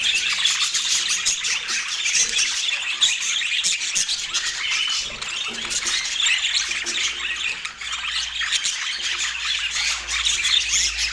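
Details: Budgerigars chattering as a flock, a steady wash of scratchy warbles, squeaks and harsh squawks overlapping without pause, bright and high, with a faint low hum underneath.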